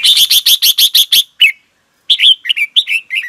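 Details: Red-whiskered bulbul morning song for training birds: a fast series of about eight sharp, evenly spaced clipped notes, a brief silence, then a run of mellow, bouncing whistled phrases.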